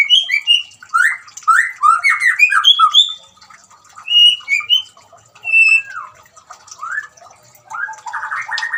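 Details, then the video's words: White-rumped shama, song with water trickling, aimed at getting a quiet shama to sing: dense burst of varied whistles and harsh notes, then spaced clear whistles and a closing buzzy chatter. "suara gemricik air dan siulan murai batu cocok buat terapi murai macet bunyi"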